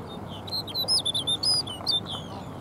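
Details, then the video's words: Snow bunting singing at Jökulsárlón Glacier Lagoon, Iceland: a quick jumble of bright, high, clear whistled and warbled notes, some rising, some dropping, in short bursts across two seconds over a low steady background hiss. "Snow Bunting Singing"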